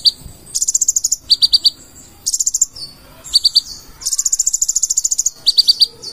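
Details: Purple-throated sunbird, locally konin, singing 'gacor full isian': rapid high-pitched buzzy trills interleaved with groups of three or four staccato chip notes, bursts separated by short silences.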